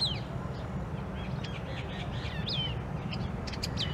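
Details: Long-tailed shrike song: a rapid jumble of short, varied chirps and scratchy notes, some sharply falling or rising, delivered continuously over a few seconds against a strong low rumble of wind or traffic.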